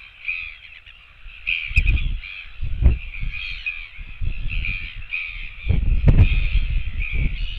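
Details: Royal albatross chicks begging for food on a nest cam, 24 September 2017, giving steady, nasal, wailing calls that rise and fall almost without pause, over heavy low wind rumble and thumps.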